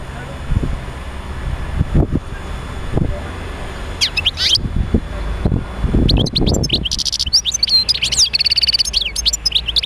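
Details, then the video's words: European goldfinch song played to stimulate other goldfinches to sing; low thumps and knocks open the recording, then bright rapid twittering chirps and fluttering trills fill the second half. "تحفيز طيور الحسون على تغريد"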